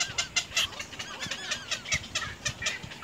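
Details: Little egret babies at the nest going after their mother, producing quick, rhythmic raspy pulses with faint rising and falling tonal notes.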